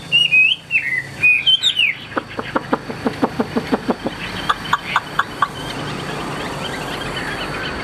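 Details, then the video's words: Tame caged Hwamei, the right-hand bird, said to sing well: bright warbled whistles at first, then a rapid train of dry clicking notes about five per second, fading into low background hum. "HÓT TỐT"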